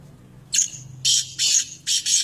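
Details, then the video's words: Black francolin, a hand-tamed pet bird in Pakistan, calling: a harsh, loud series of four broad rasping bursts, each about a third of a second, separated by short gaps, with a faint low hum underneath. "kala teetar"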